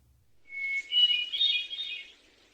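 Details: A thrush singing out in the wild sings one clear, steady whistled note, then a rich, warbling phrase of high, fluty notes lasting about a second and a half.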